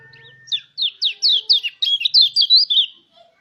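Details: A mountain white-eye sings to stimulate other white-eyes to open up and sing, in a rolling wild style. A clean run of about twelve bright, high, looping whistled notes, tumbling rapidly in a continuous warble.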